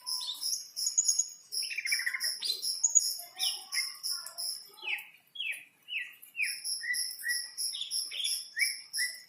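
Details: Greater green leafbird in breeding condition after a rain bath sings loudly: rapid rattling twitters, then a string of bright down-slurred whistles, over a steady pulse of very high, thin repeated chips.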